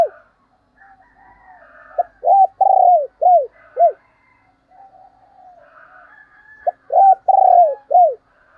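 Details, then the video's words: Spotted dove kept as a lure for other doves, repeating its coo phrase twice: each is a run of about five short, low, arched notes, with a longer middle coo, and faint thin calls of other birds behind. "chim cu gáy kích bổi mới"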